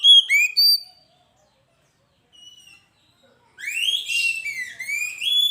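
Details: ['A few bright whistled notes from an Oriental magpie-robin, a quiet pause, then a rich, fast burst of sweeping high whistles and rising slurs. Recorded as an energetic lure song for training birds.']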